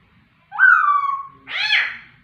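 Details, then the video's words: White-rumped shama (murai), a singing bird kept as a pet, giving a loud whistled phrase: a long slurred note near one octave, then a rich rising-falling burst after a short pause. "burung murai gacor"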